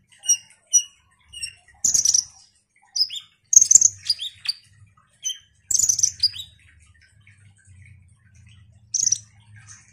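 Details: Ruby-cheeked sunbird song opening with a few evenly spaced thin whistled notes, then breaking into several short bursts of dense, high, buzzy twittering with quiet gaps between phrases.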